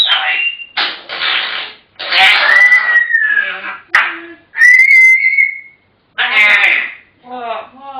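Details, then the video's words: African grey parrots, described as chatterboxes: rough speech-like syllables mixed with long steady whistles, several phrases back to back with one quiet gap. "Chatterboxes!! African Grey Parrots"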